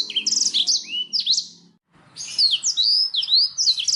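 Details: Canary singing, used as a lure recording to encourage other birds to sing: a fast burst of high trills, rising whistles and chirps, a brief silence near two seconds, then another lively run of sweeping notes and rattling trills.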